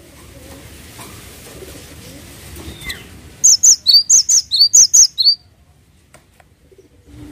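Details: A singing cinereous tit delivers about ten high, clear whistled notes in brisk paired phrases over two seconds. A soft low murmur precedes it and quiet follows.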